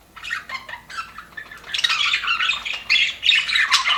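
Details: Happy budgies in an aviary chirp in short spaced bursts that swell into continuous squawky, warbling chatter from several birds.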